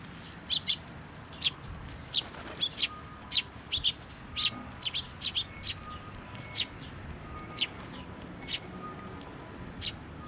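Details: Fledgling sparrows arriving to be fed at a pillar at a Tenmangu shrine, 25 May 2024: many brief, bright chirps, often in clusters of two or three and roughly every half second, above quiet background hiss and faint steady tones.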